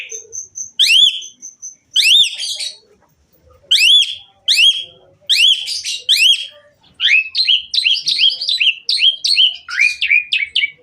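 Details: Asian pied myna in lively full song rich in varied phrases, used to prompt other mynas to sing: a long high thin whistle, then bursts of sharp rising harmonic notes in short runs with pauses, ending in a dense chattering stretch.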